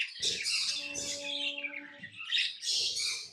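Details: Harsh, squawky chirps from pet lovebirds over a steady low electrical hum, the chatter pausing briefly before rising again.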